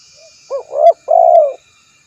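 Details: A faint soft note, then a spotted dove's full three-part coo: a stuttered start, a swelling middle coo and a drawn-out steady ending, loud and close.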